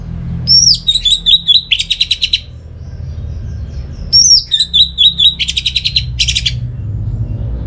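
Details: Orange-headed thrush phrase given twice, used as a lure to make silent home birds sing. Each phrase has a sliding high whistle, a run of short sharp notes and a dense buzzy trill; the second ends with an extra high burst.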